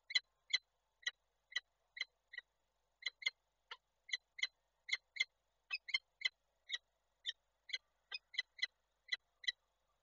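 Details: Female peregrine falcon at a webcam nest in Koszalin, Poland, 28 January 2024, calling steadily while the male visits: around thirty coarse, clipped kek notes in ten seconds, single and paired, evenly spaced.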